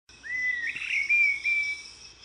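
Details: Tropical Mockingbird, noted for mimicking many other species' songs, gives a clear, drawn-out whistle that rises and then holds steady for about a second, over a steady high insect buzz.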